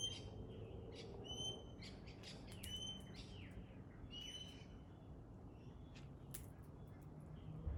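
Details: Pale-headed rosella heard among other chatter: a few ringing high whistles mixed with short falling chirps and clicks, with steady low background rumble throughout.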